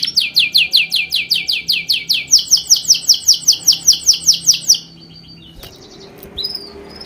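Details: Bird chirping in a steady series of clear, sharply down-slurred whistled notes, roughly three per second, followed by quiet and a couple of faint high notes.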